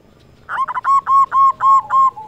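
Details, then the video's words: Zebra dove, local Indonesian perkutut singing as a lure for reluctant doves: one clear phrase of about six loud, evenly spaced bell-like coo notes after a brief rough start. "Perkutut lokal gacor suara cocok untuk pancingan semua jenis perkutut yang malas bunyi"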